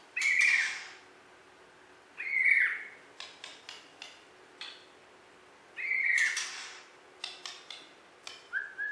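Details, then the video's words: Caged champion Borneo white-rumped shama in West Kalimantan, rather quiet: three harsh, buzzy bursts a few seconds apart, with rapid dry clicks between them and a short whistle at the end. "Video Burung Murai Batu Borneo Juara Di KalBar"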